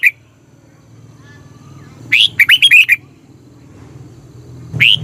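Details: Thai red-whiskered bulbul, sung to excite caged birds or serve as a decoy. One chirpy phrase of rippling whistles, a lone note before it and another after, over a low steady hum.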